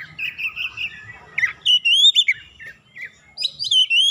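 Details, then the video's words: Oriental magpie-robin provoked by a rival, agitated and showing off its repertoire: clear whistled phrases near mid-high pitch, some rising and some sliding down, with short pauses between, and a faint low hum beneath. "KACER LAWAN LANGSUNG PANAS NAIK EMOSI BONGKAR ISIAN SEKALI PANCING"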